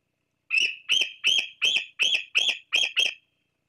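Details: A young Bald Eagle perched near the Fraser Point nest on 26 July 2022, preening between calls, gives a run of eight high, squealing whistled notes, calling to its parents for food.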